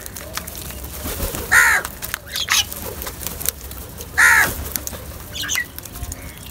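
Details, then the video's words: Two strong, raspy caws about two and a half seconds apart stand out as crows feed together, with softer, clipped calls and rustling in between. "Crow Sounds"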